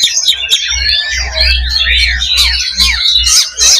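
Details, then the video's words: Several Oriental magpie-robins in a fighting simulation for competition birds: rapid overlapping whistles, rising and falling slurs and harsh chatter, over a steady low hum. "SIMULASI LOBA BURUNG KACER || MENAIKAN MENTAL TARUNG / FIGHTER"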